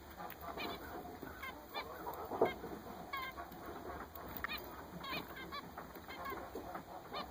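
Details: Newly purchased zebra finches in a group give a busy chatter of brief nasal honks and beeps, several birds overlapping, notes arriving every fraction of a second over faint hiss.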